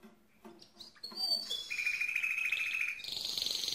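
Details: Mosaic canary song opening with scattered soft chirps, then swelling into a loud sustained trill that shifts upward into a higher, faster rolling tour.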